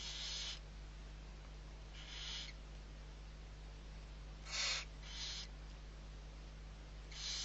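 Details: Barn owl nestlings, six of them, fed at Riet Vell reserve, Ebro Delta, Spain, 21 November 2023. About six drawn-out breathy hisses, some doubled close together, repeating irregularly against a steady low mechanical hum.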